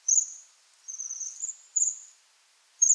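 Bohemian waxwing giving high, thin, ringing trills, four short sirrr notes about a second apart, with nothing else heard.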